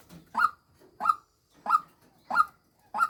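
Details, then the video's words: Female white-breasted waterhen calling, a lure recording: short harsh croaking notes repeated about every 0.65 seconds, five notes with faint softer sounds between them. "tiếng chim quốc mồi mái"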